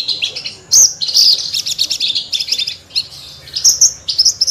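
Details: Horsfield's bush lark singing in full voice, a rare bird: dense bursts of high, sharp chirps and trills, broken by brief pauses and a few clear whistled notes near the end.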